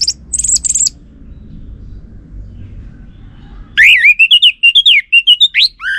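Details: Orange-headed thrush lure song, meant to prompt a male to answer. Opens with a burst of very high, buzzy chattering notes, then after a quiet pause a run of loud, rapid, warbling whistled phrases with slight low hum underneath.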